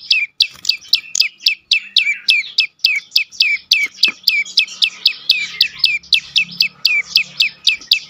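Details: Prenjak lumut prinia in full 'dorr' song, used as a lure to make silent birds sing: rapid series of sharp, high, downslurred chips, roughly two per second, steady and unbroken, with faint low background hum.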